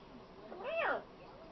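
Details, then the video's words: Female pet macaw utters a single drawn-out, wavering, meow-like vocal phrase of under half a second, rising then falling, in a quiet indoor setting. "talking macaw"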